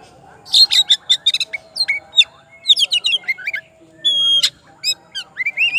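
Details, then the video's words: Oriental magpie-robin calling its rival in rich, continuous song: quick clicking notes, then warbled whistles, a long steady high whistle and upslurred phrases, loud and varied. "KACER GACOR MANGGIL LAWANNYA BIKIN NYAUT DAN NGEPLONG"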